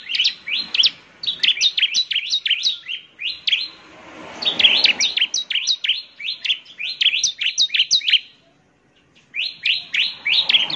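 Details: Bar-winged prinia song used to make other prinias answer: rapid bursts of sharp, high chirps with downward flicks, delivered in long runs and broken by a brief pause near the end.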